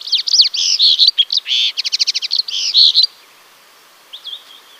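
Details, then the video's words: A Yellow canary sings a three-second burst of bright, rapid chirps and a rattling trill of fast repeated notes, then falls silent before one brief thin note. "O canto do Canario amarelo"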